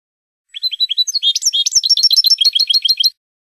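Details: Spanish European goldfinch song used to train cage birds: after half a second of silence, bright chirping notes build into a rapid, jingling run of high twitters lasting about two and a half seconds, then stop.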